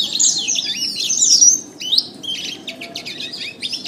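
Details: Canary song used as a training recording to get birds singing, best played in morning or afternoon: a fast, continuous stream of high twittering trills and rapid warbled phrases, briefly dropping to quieter chirps midway.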